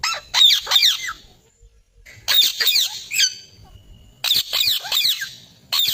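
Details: Green parrot giving grating, scratchy screech bursts, each a quick run of three or four harsh notes, spaced about two seconds apart, with faint low background noise.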